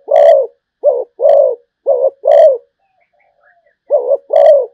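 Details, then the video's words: Zebra dove giving repeated cooing phrases: short wavering notes alternate with longer, rich, rolling coos in a steady rhythm, with a brief quiet gap midway. "chim cu gáy malaysia/ cu gáy malaysia"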